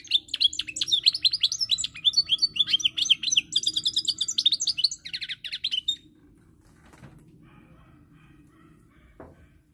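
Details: Rapid twittering goldfinch song, recorded 10 November 2019, with dense chirps and a buzzy run for six seconds before it stops. A low hum continues, followed by faint clicks.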